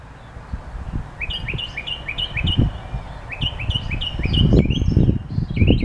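A bird sings quick runs of bright, chirping notes, about five per burst, high and slightly rising, over low rumbling background noise.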